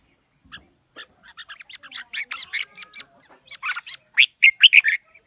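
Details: Red-whiskered bulbul, described as a big bird in đá lân display, delivers a lively song in the wild voice style: quickening series of sharp, chirpy notes building into loud, rich warbled phrases toward the end.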